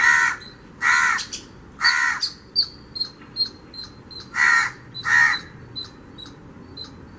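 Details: House crow in a mango tree in a garden in Avadi, Chennai, Tamil Nadu, India, giving five loud, harsh, nasal caws at an uneven pace, with thin high chirps from smaller birds between.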